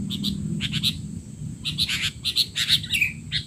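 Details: Noisy sooty-headed bulbul calling, meant to tutor young bulbuls: clusters of quick chirps, a pause, then a denser, livelier burst ending in a slurred whistle, over low rumbling background noise.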